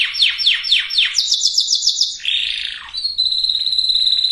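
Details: Canary singing for breeding preparation of both sexes: repeated broad downward sweeps, a higher quick rolled phrase, a buzzy dip, then a steady high trill.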